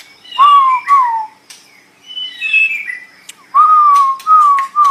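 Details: Tutor recording of white-rumped shama song for cage birds. Loud, clear, low whistles slide gently downward, separated by soft high warbles and a few sharp clicks.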